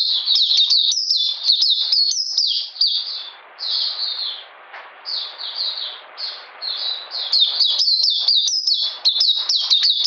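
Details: Singing Oriental magpie-robin on a cold, rainy day, 13 June 2020: rapid high chirping phrases, a quieter gap of scattered notes in the middle, then the brisk chirps return.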